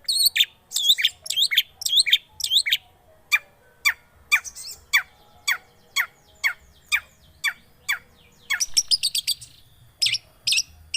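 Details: Long-tailed shrike lure recording to get a silent shrike singing: harsh looping squawks give way to a rapid series of short, clipped notes about twice a second, then a quick chattering burst and more squawky slurs.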